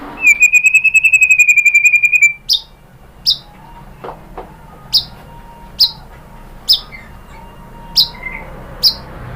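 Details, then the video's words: White-rumped shama lure recording to provoke singing: a long bright trilled whistle held about two seconds, then short clipped high notes spaced roughly every second over a faint hum. "MURAI BATU jadi NYAUT GACOR BONGKAR MATERI ¦ PANCINGAN MURAI ¦ SHAMA BIRD"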